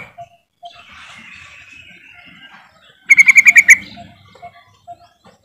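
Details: Sooty-headed bulbul call used as a lure to get quiet birds singing: a soft, wavering warble followed by a loud rapid run of about six bright, ringing notes, then scattered short chips.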